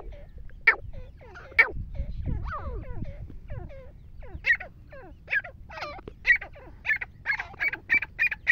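Black francolin giving harsh, grating notes, first scattered, then quickening into a rapid repeated series. Fainter whistled and warbling notes from other birds run underneath.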